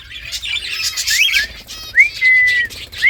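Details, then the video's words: Chatty green ringneck parrot making rising whistled notes and a steady held whistle amid bright chirping and twittering around it. "So Much Talkative Green Ringneck Talking Parrot"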